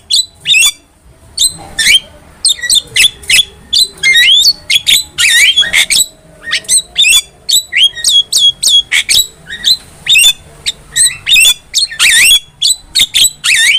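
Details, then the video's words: Long spell of Javan myna song used to train cage birds: dense, rapid chatter of sharp clicks, whistles and rasping squawks with brief pauses between bursts. "MASTERAN JALAK KEBO GACOR"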